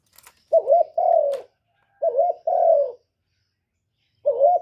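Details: A spotted dove repeats a wavering, bouncing coo followed by a long level coo, giving about two and a half phrases. Faint clicks are heard near the start.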